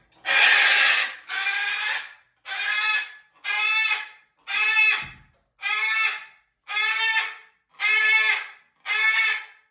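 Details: Macaws calling at dinner while being fed: nine loud, harsh, raspy squawks, each about half a second to a second long, repeated roughly once a second in a steady series.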